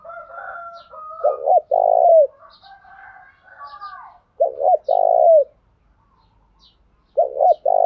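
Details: Spotted dove decoy cooing in the morning to lure wild males: three low phrases, each two short clipped coos then a long rolling coo that drops at the end, with soft fainter warbling of other birds between phrases.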